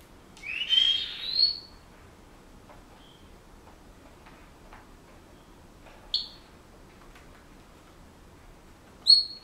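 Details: Pet Senegal parrot indoors whistling and making household noises: a long, loud whistle swooping upward, then silence broken by two short, sharp high whistled notes several seconds apart.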